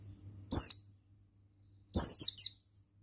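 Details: A male buxtoni Oriental white-eye sings loud, high, down-slurred notes, the second burst a rapid tumbling run of four linked twitters; close and clear.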